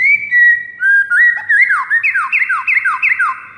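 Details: Shama training song for morning use to make other shamas sing: steady clear whistles lead into a quick run of repeated downward-slurred notes, bright and loud.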